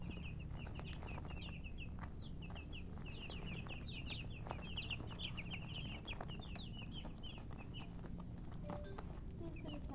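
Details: Several colour chickens chirp without pause, each note a brief, piercing downward slur. Calls overlap into a busy chatter over a low background hum, with a few soft clicks.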